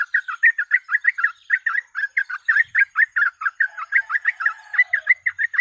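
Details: Rapid 'ropel' song of a sooty-headed bulbul, used as a lure and tutor recording: quick chattering notes pouring out without a break, slightly brighter, sharper phrases toward the end.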